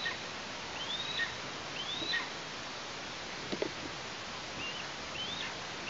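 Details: Nestling Eastern imperial eagle in Tatarstan, August 2023, calling as the parents deliver prey: a few high, rising thin squeals with short pauses, a brief rustling thump midway, and constant soft outdoor hiss.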